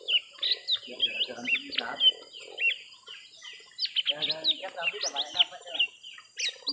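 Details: Lesser green leafbird, a young bird battling a rival in a long first-round fight, pours out quick high chirps and twisting whistled notes in clustered bursts with short pauses between them.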